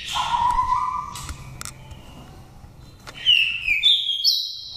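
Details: Oriental magpie-robin from Dak Lak, Vietnam, five seasons old, its wild-type voice used as a decoy or to excite birds. A lower whistled note opens, a pause follows, then a rising series of clear whistles steps upward near the end.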